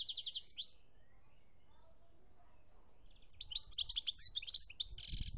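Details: Song of a European goldfinch, Algeria, 2017: a quick rattling trill opens, then after a pause comes a busy stream of high tinkling twitters ending in a buzzy trill, over soft low rumble.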